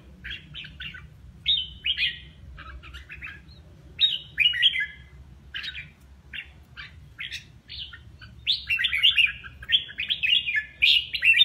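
A red-whiskered bulbul sings bright, liquid whistled phrases of quick slurred notes, repeated with short pauses. A faint low hum sits underneath.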